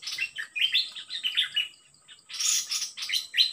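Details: Decoy session with a fierce wild-caught bird answering: quick runs of bright, warbled chirps, a short pause, then louder scratchy bursts of notes, over a continuous thin high whine.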